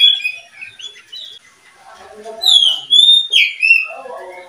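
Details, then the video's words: Kept oriental magpie-robin of a breeding pair uttering clear, high, drawn-out whistles and slurred notes after softer scattered chirps, the strongest notes piercing and sweeping downward. "pasangan murai Kacer(murka)"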